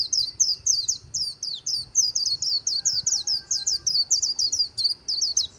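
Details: Continuous líu song from a white-eye near the Kỳ Cùng river: nearly six seconds of quick, evenly repeated high squeaky twitters, bright and busy, with quiet low background noise beneath.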